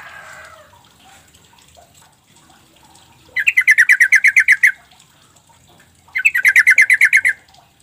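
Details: Sooty-headed bulbul call played as a lure so quiet, silent birds will answer; two bursts of about twelve rapid, evenly spaced chattering notes, each lasting over a second, separated by a pause, with faint background hiss.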